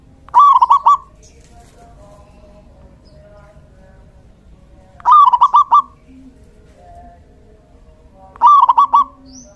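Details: Lively male local zebra dove singing as a decoy to lure and tutor other doves: short bursts of quick cooing trills, each under a second, repeating roughly every four seconds over a quiet background.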